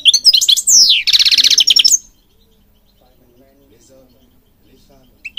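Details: Goldfinch singing for bird training: a two-second phrase of tinkling notes and a falling slur, then a fast pulsed buzzy trill, followed by near silence.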